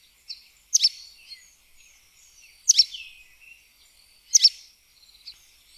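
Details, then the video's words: Sooty tyrannulet (Serpophaga nigricans) song: sharp, high, sibilant notes about every two seconds, with soft chips in between over faint background noise. "Joao Pobre - Canto"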